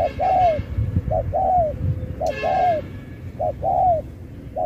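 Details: Contest spotted dove singing the Thúc kèm Bo style. Paired phrases repeat steadily: a clipped note, then a drawn-out coo that falls at the end. A brief noisy burst cuts in near the middle over a low background hum.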